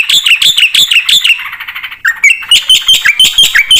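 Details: Black-winged starling in vigorous, phrase-filled song: quick bursts of ringing chirps, a short lower warbled passage, then sharp rising and falling whistled notes repeated in rapid succession.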